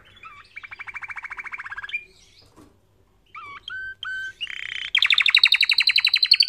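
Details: Canary song for training: an even rapid trill, a pause, short whistled and hooked notes, then a loud, fast, harsh rolling trill to the end.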